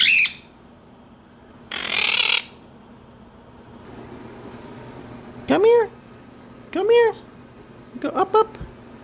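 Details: Two pet Quaker (monk) parakeets indoors, on day seven of training in jumping, noise-making and mimicking, give short harsh squawks with arched, harmonic-rich notes and yell at each other, alongside a person's voice.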